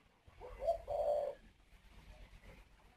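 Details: At a breeding aviary in Ba Vi, Hanoi, northern Vietnam, a male Spotted Dove on the nest urges the female to lay her next clutch with two low, soft coos, the second longer and fuller, then quiet hiss.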